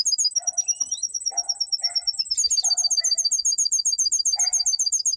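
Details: Domestic canary song used for training: a continuous high, rapid trill of looping notes throughout, with softer lower chirps from a second bird scattered underneath.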